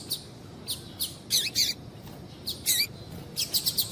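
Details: Double-collared seedeater female giving calls meant to excite males to sing: short, high, clipped chirps, single or in quick pairs, closing with a rapid run of four notes.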